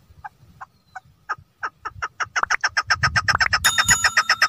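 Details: Female chukar partridge calling: a series of short clipped notes that start sparse and quicken into a rapid, accelerating chatter of about four notes per second, with a low rumble underneath and a brief electronic tone at the end.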